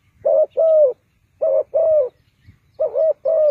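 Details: Decoy spotted dove luring birds toward a trap, Ninh Thuận: three coo-croo pairs roughly a second apart, low hooted notes with a longer falling second note, light low background noise outdoors.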